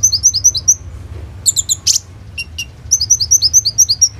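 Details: Full-voiced kolibri ninja sunbird recorded on an Oppo A37f phone, used as a lure to make konin sing. It gives fast rows of high, rising whistled notes, then a few sharp chips, then another quick run of notes.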